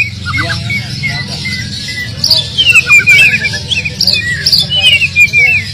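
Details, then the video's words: Oriental magpie-robin with a vigorous, filler-rich song used to get silent magpie-robins singing; softer low warbles at first, then a rapid chain of bright chirps and short buzzy notes climbing and falling, against a steady low hum. "kacer full isian,gacor ngotot cocok buat mancing kacer bisu"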